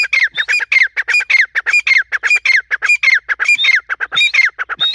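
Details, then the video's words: Harsh, grating calls from a female grey francolin (dakhni teetar), repeated quickly at about 100 notes a minute in a steady chattering run. Falling slurred notes mix with occasional higher whistled squeals over a quiet background. "female teetar Ki awaz"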